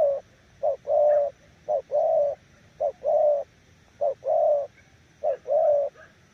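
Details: Spotted dove giving its 'nước gù' cooing style: five low, mellow two-part coos, each a short clipped note followed by a longer, rounder coo, spaced about a second apart over a steady faint background hiss.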